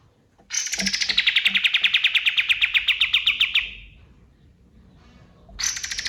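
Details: Dawn song of a male kapas tembak white-eye, described as a natural forest recording: a rapid three-second volley of sharp, evenly pulsed notes gliding gently downward, then a quiet gap before the next volley starts.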